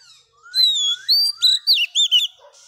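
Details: Female Oriental magpie-robin song meant to excite males: a soft rising whistle leading into a long clear note, followed by five or six bright, looping whistled syllables.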